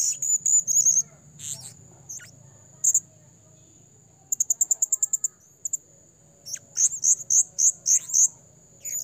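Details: Blue-crowned hanging parrot calls used to lure birds into traps: thin high squeaks, then a rapid rattling series of about ten sharp ticks, then a run of repeated shrill chirps, all above a continuous high hum.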